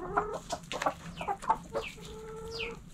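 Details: Backyard hens and roosters in a coop: quick clucks and short tonal notes, then a long steady nasal call held for nearly a second, with a thin falling chirp near the end.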